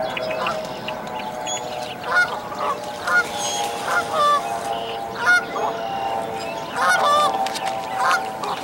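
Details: Canada goose calling as her five newly hatched goslings jump from a dead-tree nest to follow; repeated loud nasal honks about once a second, with a steady hum underneath.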